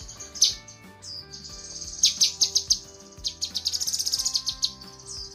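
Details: Female lesser green leafbird calling to the male with a mix of high buzzy notes, scattered sharp chips and a fast rattling burst of chips. Low humming tones linger beneath.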